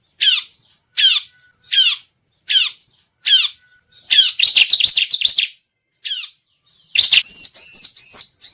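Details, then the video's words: Bar-winged prinia lure call: single sharp downward chips spaced roughly every three quarters of a second, then a fast burst of high notes, and closing ringing repeated whistles. "suara pikat ciblek"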